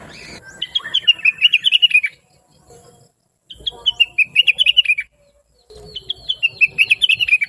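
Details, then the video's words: Blue-winged leafbird in full chattering song, used to train other birds to sing. Three phrases of fast, bright chirps slide from higher to lower notes, each lasting about one and a half seconds, with silent gaps between them. "Rengganis / Cucak Wilis Gacor Cerewet Suara Merdu"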